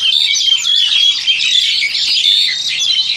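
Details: Crested Myna bred in captivity in Indonesia, about seven to eight months old, recorded with an old Samsung Grand2: steady stream of shrill whistled notes and scratchy twitters without a break.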